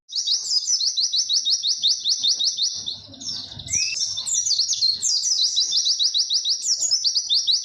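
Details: Pleci, or white-eye, in long "witwit" song meant for teaching young birds: an unbroken stream of quick, shrill, sliding chirps, with one lower rising note midway and faint low rumble.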